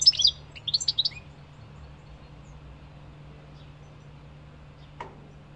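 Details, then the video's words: European goldfinch song phrase: a quick burst of high, tinkling twittered notes at the start, then near silence with a low background hum and a single soft click toward the end. "Goldfinch singing -Stieglitz song- Carduelis - Jilguero - Щегол - Kадънка - طائر الحسون"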